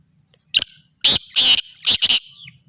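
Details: Kala tetar, a Black francolin said to be of Sindhi stock. It makes a loud grating call: a brief first note followed by two drawn-out raspy bursts and a fast closing pair, all harsh and buzzy, on a silent background.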